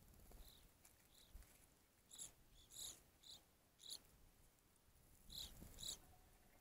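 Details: Evening grosbeak at a feeder giving short, clear, high call notes with bright overtones, spaced irregularly a second or so apart, some paired, over a quiet background.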